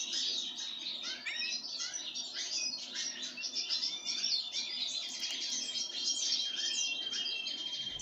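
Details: Pine grosbeak fed on sunflower seeds, giving busy overlapping twittering chirps throughout, over a constant thin high tone.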